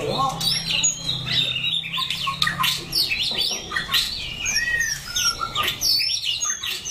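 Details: White-rumped shama in Daklak, Vietnam, September 2015, singing a rich, varied run of clear whistles, slurs and quick twittering phrases that jump between high and middle pitches, with a low background hum early on.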